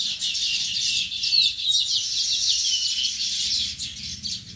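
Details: Sparrows at their nest producing a continuous stream of high, thin, twittering chirps, busy and overlapping with no pauses.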